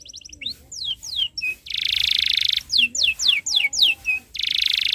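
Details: Domestic canary in full song, used as a master recording for young birds: sharp descending whistled slurs, a dense buzzy rattle held nearly a second, then more falling whistles and a short trill.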